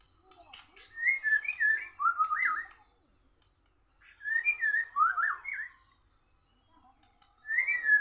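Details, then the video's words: Oriental magpie-robin singing against a Borneo bird. The same short bout of looping whistled notes is repeated about every three seconds, separated by near silence. "murai bordan kalah ngotot sama burung Borneo sampai ngelowo"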